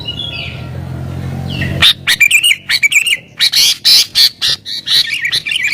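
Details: Sooty-headed bulbul in agitated, rival-pressuring song used to lure wild bulbuls. Background hiss gives way after about two seconds to rapid, loud, bubbly chirped phrases, repeated in quick, uneven bursts.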